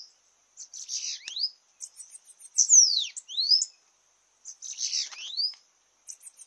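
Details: Competitive singing by a Bananaquit (sibite) at a campiada: repeated high, hissing trill bursts, each ending in swooping whistled slurs, about three phrases over several seconds.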